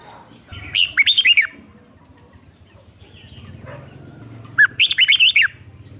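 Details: Red-whiskered bulbul sung as a lure for wild birds, two lively phrases of five or six arching whistled notes about three and a half seconds apart, with low rumbling background.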